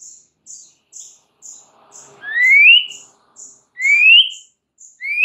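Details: White-rumped shama in the morning giving clear, rising whistles about every two seconds, set against a steady ticking of very high, thin notes roughly twice a second.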